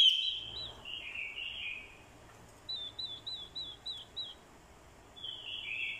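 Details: Fighting song from a decoy male orange-headed thrush, set off by a female's calls: a whistled slurred phrase, silence, a string of about six wavy high notes, then another whistled phrase.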